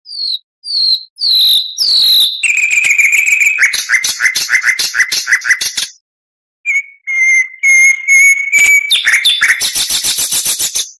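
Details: Full song of an oriental magpie-robin, used to tutor other songbirds: high sweet whistles, then a long run of rapid chattering notes, a pause, a sustained level whistle and a dense buzzy trill.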